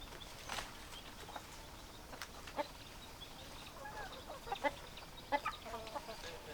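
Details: Chickens, hens and roosters together: a few brief clucks early, then a livelier run of quick, clipped clucks near the end over a constant hiss of background noise.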